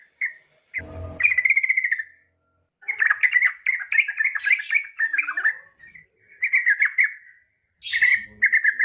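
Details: Yellow-vented bulbul female calling for a male: bubbly, chattering phrases of tumbling chirps in several bursts, with a short thump near the start.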